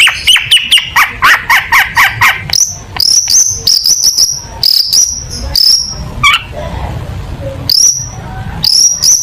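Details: Long-tailed shrike song for contest training: rapid bursts of dry clicking notes, then a series of high thin whistles with abrupt starts. Quieter gaps break the sequence.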